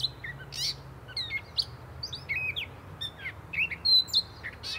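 A Gray Catbird sings a rambling string of short, varied squeaky and whistled notes, each phrase different and delivered in quick succession, over a faint low hum.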